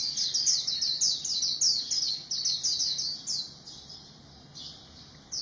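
A white-eye sings a very high, rapid twittering warble in quick, tumbling phrases, about three a second, fading toward the end.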